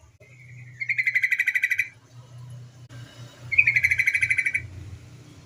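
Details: Female yellow-vented bulbul calling as bait to spur other bulbuls into song: two rapid pulsed chattering bursts about a second long over a noticeable low rumbling background.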